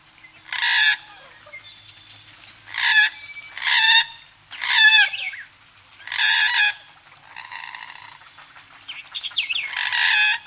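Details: Moorhen repeating loud, rasping, nasal croaks, six or seven bursts roughly every one to two seconds, some ending in short squeaky upslurred notes, against a quiet background.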